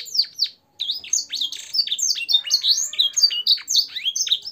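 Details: Canary singing a training song with blackthroat and sanger-style phrases: a brief pause, then a continuous jumble of high swooping whistles, quick chirps and short warbled notes.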